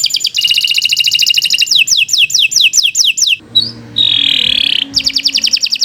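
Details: Canary in full, extended song recorded as master material for other birds: rolling high trill, evenly spaced downslurred whistles, a soft broad buzzy note, then a fresh quick trill.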